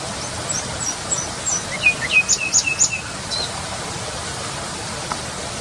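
A nightingale sings a short phrase of quick, sharp chirps and rapid repeated notes, high and clear, over a steady background hiss.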